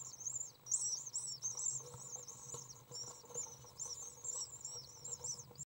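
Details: In a nest box on 6 June 2012, 8-day-old common swift chicks fed by a parent, who also cleans the nest, produce high, wavering buzzy twitters strung together in short runs above a quiet low hum.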